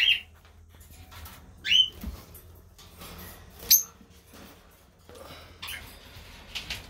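Parakeets give short, sharp, high chirps and squawks, scattered irregularly a few seconds apart, over a faint low hum.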